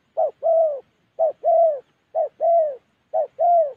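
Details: Clean coos from a Đồng Ngực Chẻ spotted dove of Gia Lai in Vietnam's Central Highlands. Four even pairs, each a brief note then a fuller falling one, come about once a second in quiet surroundings.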